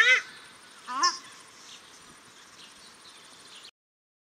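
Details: Paradise shelduck, male and female calling at Cornwall Park, Auckland, New Zealand: two short harsh honking calls with stacked bands, one at the start and one near one second, then quiet park background.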